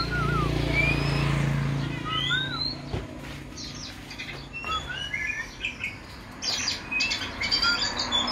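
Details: Song of an Oriental magpie-robin kept since it was young: scattered upslurred and looping whistles, then a denser burst of bright chirps near the end, over a low droning background.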